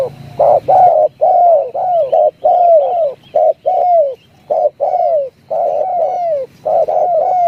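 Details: Spotted dove giving the 'tarik akar' call style: a long series of mellow, low coos, many ending in a falling slur, repeated almost without pause, with faint higher chirps from other birds.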